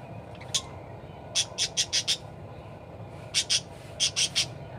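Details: Actively singing parakeet giving short bursts of sharp high chirps, a single note, then clusters of four and three, separated by brief gaps, with a low steady background hum.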